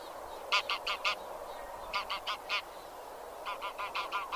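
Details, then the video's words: Grey geese (genus Anser) give three quick runs of four to five nasal, trumpeting honks, each run spaced about a second and a half apart, over faint background hiss. "Anser 1h Bird sound"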